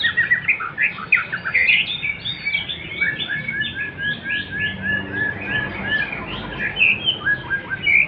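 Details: Male white-rumped shama singing in the Klewer style: a fast, continuous stream of varied whistled and warbled phrases, with bright rising and falling notes and short trills packed closely together, steady throughout with no other clear sounds.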